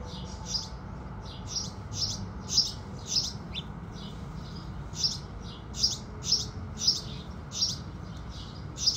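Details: Sparrows (house sparrow) singing with the rising sun: clustered sharp chirps, some doubled, coming in irregular runs over a quiet low hum.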